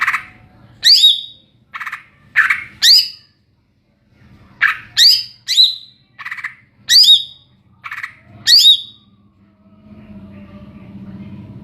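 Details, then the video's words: Greater green leafbird, cucak ijo, singing in ngeplong style: loud, bright phrases of sharply falling whistled notes, repeated in bursts with short pauses, fading into a low hum at the end. "Burung cucak ijo NGEPLONG2.."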